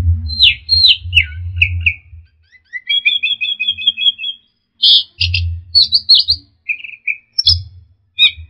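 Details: Ground thrush (punglor) singing actively, in a recording for training songbirds. Whistled figures slide up and down, then a long sustained trill is followed by sharp high chatter and short whistles, with intermittent low rumble.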